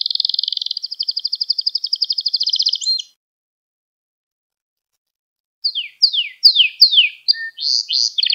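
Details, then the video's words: Gloster canary song meant to excite other canaries: a long steady rapid trill for three seconds, silence, then loud downward-slurred whistles repeated in a rough series with a faint low note between. "Gloster Kanarya Sesi Ve Ötüşü | Kanarya Huylandırma | Kanarya Kızıştırma"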